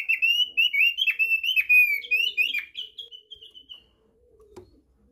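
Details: Thick-billed white-eye lure meant to prompt birds to sing: a rapid, chattering warble of high whistled notes running for about three seconds, then tapering off, with a soft knock near the end.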